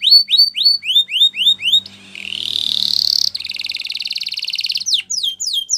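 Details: Yellow canary song: quick repeated upslurred whistles, then a rising buzzy phrase, a long fast rattling trill, and a new run of sharp sweeping notes.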